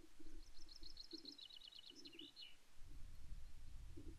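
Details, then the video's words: A pair of Crossbills (possibly Scottish Crossbill) visiting an osprey nest at Loch Arkaig, Scotland, around 08:38 on 15 May 2024, one perching and preening: a quick run of sharp, high chip notes, the later ones dropping slightly in pitch, over low wind rumble and soft low murmurs. "A pair of Crossbills (Loxia scotica?) visit"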